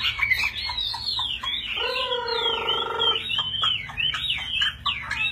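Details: A caged fighting Chinese hwamei pours out loud, rapid, richly varied whistled phrases, high and slurred; a lower, drawn-out harmonic call, perhaps a rooster, cuts in briefly midway.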